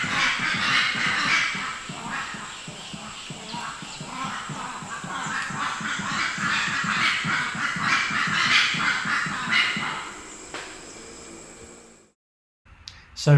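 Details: Invisible Rail on Sulawesi or Halmahera, Indonesia, giving a loud, harsh, throbbing series of rapid notes, nearly four a second, sustained for about twelve seconds before falling quiet.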